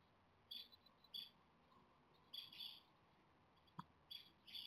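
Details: Japanese tit nestlings, 17 days into rearing with a stray cat threatening, beg eagerly for food: repeated bursts of loud, high, thin squealing chirps, each cluster about half a second long, with a brief knock in between.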